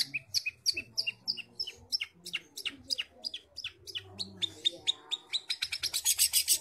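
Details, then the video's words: Long-tailed shrike (cendet) from Bojonegoro singing a rapid, varied stream of chirps and whistled notes, speeding up toward the end into dense high bursts, with faint low background noise. "Cendet gacor bojonegoro"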